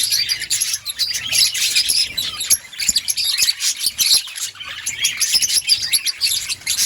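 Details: Budgerigars chirping in an outdoor breeding colony; a dense chorus of shrill, scratchy chirps and occasional squawks, with sharp clicks scattered through.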